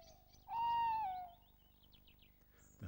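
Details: A British Tawny Owl gives its song, a single long, level hoot that dips at the end, with faint background hiss around it.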